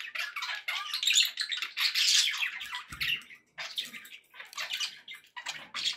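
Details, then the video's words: Pet budgerigars in a happy mood: loud continuous raspy warbling and squawky chirps, with a short low thump near the middle. "happy budgie sounds"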